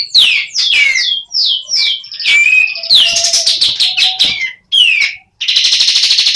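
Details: Semi-breeding female sooty-headed bulbul calling with a series of loud falling whistled slurs and chirps, then a dense, rapid buzzy rattle of repeated notes closing the passage.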